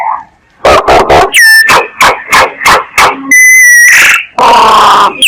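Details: Myna lure call from Vietnam: harsh rasping bursts repeated rapidly, broken by a few pure whistled notes with high overtones, ending in a noisy grating phrase.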